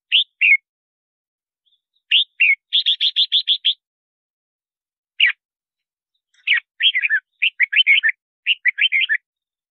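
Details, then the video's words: Red-whiskered bulbul singing a lure song for attracting wild birds and training a caged bird's voice: short chirpy two-note phrases, a fast run of six clipped repeated notes, then lively warbling bursts. Clean, quiet background. "Tiếng Chào Mào Hót Gọi Bổi Mới Nhất"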